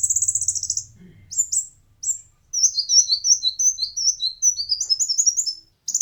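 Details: Kolibri ninja (konin) singing as training material for competition birds: a buzzy high trill opens, then a long twittering series of quick high chips and slurred notes runs almost without a break.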